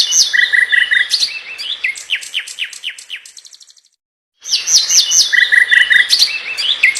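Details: Nightingale singing on a tight, fast master track meant for tutoring magpie-robins: repeated low chirps and sharp high notes, then a fading rattle of downward strokes, a brief silent break, and the varied phrases return.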